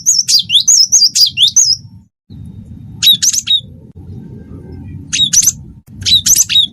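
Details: Cinereous tit of the wingko type singing as tutor song to prompt other birds: a quick string of high, wavering whistles, followed by scattered buzzy chips and short whistled bursts over a low hum.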